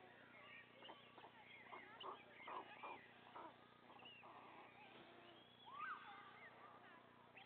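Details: White stork father feeding three young chicks on the nest: scattered squeaks and short mewing notes, louder pulses mid-clip, and one clear upward-curving whistle near the end, over a constant low hum.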